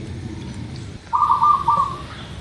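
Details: A single rolling, gurgling coo phrase of about a second from a local zebra dove, after a quiet start with only low background rumble; recording meant as a lure to make birds sing.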